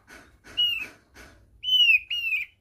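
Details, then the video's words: Thick-billed white-eye from East Nusa Tenggara, Indonesia, giving its basic song (kicau dasar). Faint rasping pulses come first, then two loud, clear, slightly falling whistles, the second following closely on the first. "KICAU DASAR OPIOR PARUH TEBAL (OPIOR NTT)"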